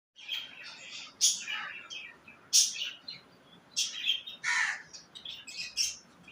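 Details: Budgerigars during mating, giving bursts of chirpy, warbling calls in clusters roughly every second or so, bright and high with scratchy edges, against a quiet indoor background.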